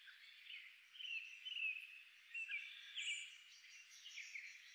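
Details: In winter in the Maungakotukutuku Valley, New Zealand, redpolls feeding on a driveway give a busy run of high, buzzy twitters and chattering notes that overlap with no clear pause, over a faint background hiss.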